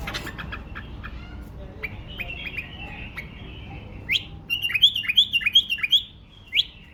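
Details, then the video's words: A tame male bulbul kept in a cage in Baghdad sings a run of bright, repeated chirping notes, rising into a quick series of sharp, clear phrases near the end. "بلبل اليف تغريد"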